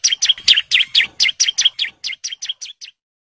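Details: Breeding male bar-winged prinia calling to females: rapid run of sharp falling chirps, roughly two each second, loud at first then fading and ending in silence.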